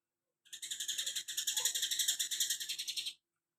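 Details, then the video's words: Cucak kinoi giving a steady rattling trill of about four harsh, buzzy pulses per second, lasting close to three seconds with a brief break near the start, over a faint constant hum. "cucak kinoi tembakan greja rapet"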